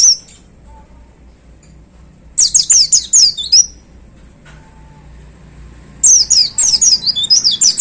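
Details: White-eye (pleci) in a hanging cage with a brief high note, then two separate bursts of 'tembakan' song: quick, piercing, downslurred twitters packed closely together, with quiet between.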